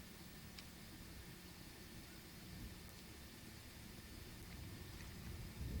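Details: Low steady rumble of distant traffic or engine noise under a faint hiss, with no animal voices.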